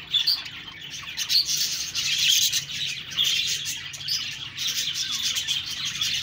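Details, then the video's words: Budgerigars chirping and talking: dense, continuous high warbling chatter with scratchy notes and rapid twitters, swelling and fading in loudness throughout. "Budgies Birds talking sound Birds chirping sounds"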